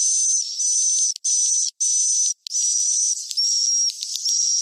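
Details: Roosting sound of swiftlets recorded for luring birds into swiftlet houses: sustained high buzzy twittering with a level whistled tone, cut by a few short silent breaks.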